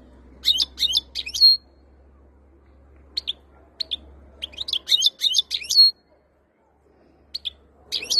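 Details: European goldfinch singing, described as ready to mate, with 2022 noted; bursts of bright twittering, tinkling notes with quick downward slurs, separated by pauses, plus a faint low hum.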